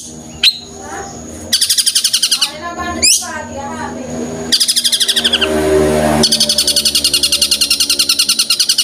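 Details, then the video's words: Long-tailed shrike in full voice imitating tengkek buto calls. Long rapid rattles of harsh notes alternate with rising whistled sweeps and softer descending chatter. A sharp click opens the sequence. "Cendet tembakan tengkek buto gacor lancar"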